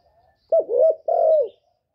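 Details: Close, loud spotted dove coo in the 'thổ' voice style, used to stimulate caged males: two low, husky phrases, the first broken and wavering, the second a smooth drawn-out note falling at the end, in otherwise silent surroundings.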